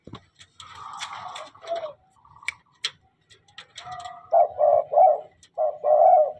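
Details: Tame spotted dove singing often: after a mixed first half of scattered clicks and softer murmurs, a run of loud, low, hoarse coos comes in short grouped phrases over the last two seconds.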